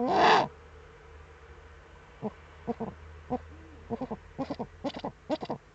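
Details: Eurasian eagle-owls at a nest in the Eifel, 23 February 2015, 19:00, as the male brings the female a prey gift: short, clipped staccato calls in loose bursts of two to four, after a brief loud rustle, over a low steady hum.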